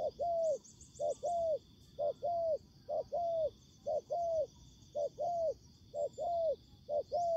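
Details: Spotted dove cooing in a trapping setup where the decoy duels with a wild bird. Rhythmic two-note coos, short then long, about one per second throughout. Brief high chirps and a steady insect drone are also heard.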